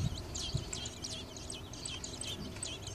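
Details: Nest of baby robins on a garage-door light as the mother brings a worm, phone recording: fast, high-pitched chirping in a continuous chatter, with a couple of dull knocks and a low rumble beneath.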